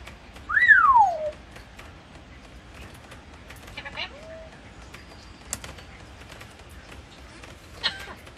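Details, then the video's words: African grey parrot, a talking bird: one loud descending whistle sliding down at the start, then a short whistled note and faint clicks and squeaks over a quiet background. "talking african grey parrot"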